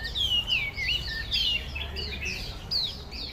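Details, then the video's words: Loud song of a Chinese hwamei, also called melodious laughingthrush. Rapid clear whistled phrases slide downward one after another, varied in pitch and loudly delivered, with light background hiss. "Loud Chinese Hua Mei Bird / Melodious Laughingthrush / 画眉鸟"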